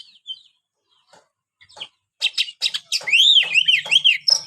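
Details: Scattered faint notes from a white-rumped shama build into a loud run of sharp clicks and rising, arching whistles, with a low hum beneath the last seconds.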